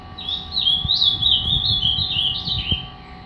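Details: A captive ultramarine grosbeak, three years old, in an agitated state, gives a fast, jumbled run of high, scratchy warbled notes with sharp squawky edges over a low indoor hum.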